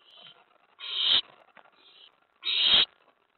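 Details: Nest owl begging as food is brought in at night, 11:28 PM, May 15, 2017; two loud, harsh, breathy screeches, each under half a second, about one and a half seconds apart, with a faint softer hiss before.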